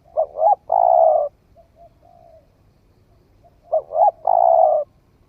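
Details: Spotted dove that has newly started cooing, tried out in the forest: two short coos then a long, drawn-out hoarse coo, with the whole phrase given twice about three and a half seconds apart in a quiet setting.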